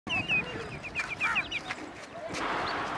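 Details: Common redshank, a migratory wader, near Chennai, giving a few clear, piping, down-slurred whistles in quick bursts, over a background of murmuring voices and noise.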